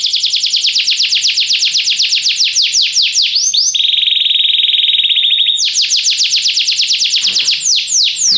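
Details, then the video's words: Belgian canary singing as training to prompt other canaries to sing: fast, loud rolling trills of rapidly repeated sweeping notes, shifting midway into a steady, even buzzing tour for about two seconds, then rapid sweeping trills again. "Canário belga tenta todos os canários a cantar"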